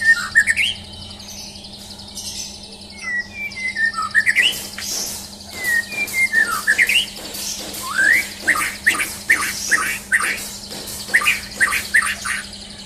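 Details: Champion murai batu, or white-rumped shama, in a mental test: scattered whistled phrases with downward slurs and clipped chips, growing busier midway with rapid bursts, over a constant low electrical hum.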